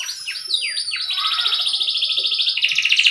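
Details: Canary song used as a tutor recording for young canaries and those that have stopped singing, said to build confidence: opening rising and falling sweeps, then a long, even, fast trill that drops lower near the end.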